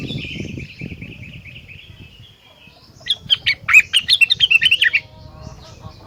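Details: Rengganis singing vigorously, a song said to make other rengganis join in: a thin high warbling line first, then nearly two seconds of rapid, loud, sharp chirps in a stuttering series over light background rustling.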